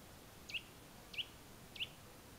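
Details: Eurasian nuthatch in the Tiétar Valley, Spain, giving three sharp, high, down-slurred 'twit' notes, evenly spaced about two-thirds of a second apart, over a quiet background.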